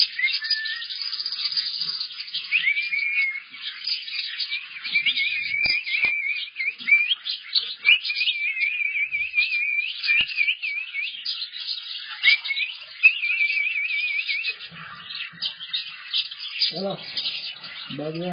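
A male cockatiel sings a run of warbling, wavering whistles, sliding up and down in a bright, fluty line.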